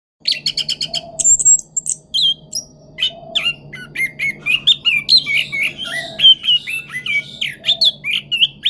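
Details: Orange-headed thrush giving a rolling pancingan lure song: a fast, unbroken run of varied whistled and slurred notes. It opens with stuttered high chips, then moves into rising and falling phrases, over a steady low hum.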